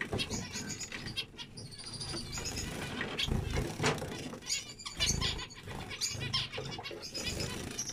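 Zebra finches give busy, nasal, trumpet-like beeps and buzzy chattering phrases, several birds overlapping, with low thumps and rumbles underneath.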